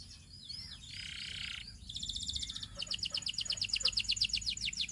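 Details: Belgian canary song heard at a distance: a soft buzzy burst, then fast rattling trills that grow louder and quicken toward the end, over a faint background hiss.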